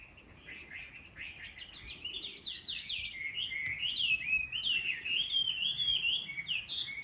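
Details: Rural Chinese hwamei, which wakes the listener every morning with its chatter-like song: a quiet start, then a fast, rich stream of whistled slurs and swoops that gets louder and continues almost without a break.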